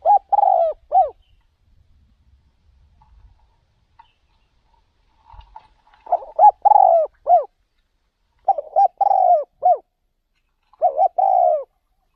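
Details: Spotted dove in a cage serving as a decoy while luring wild birds in another province, repeating its cooing phrase three times over twelve seconds, each of clipped notes around a long burry coo, with near silence between.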